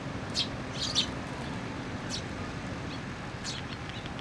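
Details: Sparrows coming to a pillar for food at a Tenmangu shrine on 26 June 2024; a few short, high chirps, some doubled, spaced irregularly across the recording over a steady low traffic hum.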